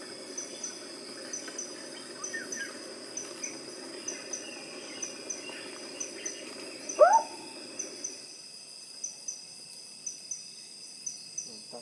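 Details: Sunda frogmouth at Way Kambas, Sumatra, Indonesia, 29 July 2024: a single loud call, a sharp upward-sweeping whistle that falls away, over steady high insect trilling and a low humming background.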